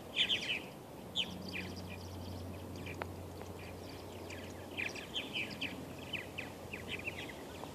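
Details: Western purple martins at Steigerwald Wildlife Refuge, Washougal, Washington, on May 28, 2013, a banded male among them; scattered gurgling, chirping notes in short clusters over steady background noise and low hum.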